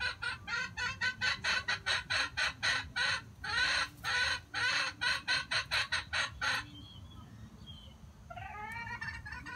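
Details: Red junglefowl giving a fast run of harsh, clucking notes for about six seconds, then a short, drawn-out crowing phrase with rising and falling pitch; a young-voiced bird crowing at a trap.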